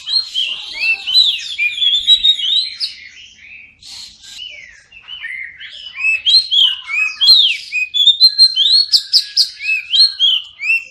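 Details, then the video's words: Energetic oriental magpie-robin song for coaxing silent birds to sing: tumbling whistled notes and harsh chips, a softer, rambling passage near the middle, then a loud, dense, rapid-fire finish. "Kacer pasti nyamber dan gacor klo dengar ini"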